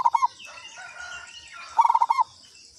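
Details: Lure call of a local zebra dove: a brief three-note stutter, then a pause with faint twittering from other birds, then a longer phrase of about seven quick, mellow coo notes.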